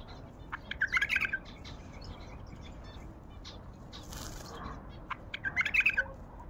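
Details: Wild bulbul of Baghdad delivering two quick, chattering, melodious phrases separated by a pause of about four seconds, each a burst of mixed whistles and gurgling notes, with a faint rushing noise in between.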